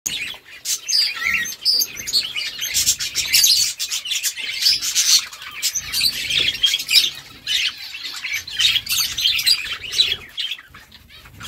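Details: Budgerigars chirping and chattering to each other, a dense, continuous overlapping chorus of high, scratchy twitters and squawky notes with no pauses and no other clear sounds.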